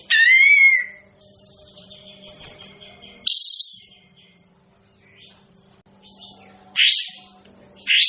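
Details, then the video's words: Kapas tembak bird giving a whistled note with a rising-falling harmonic sweep, then harsh buzzy bursts near 3.3 and 6.8 seconds and again at the end, with a low steady hum and faint chirps behind. "suara burung kapas tembak kok gak enak ya"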